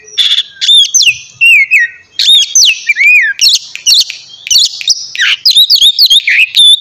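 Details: A white-rumped shama sings loudly in the morning, a recording used to prompt other shamas to sing; quick clear whistled phrases, sweeping up and down, mixed with crisp chips and buzzy flourishes, about one phrase a second.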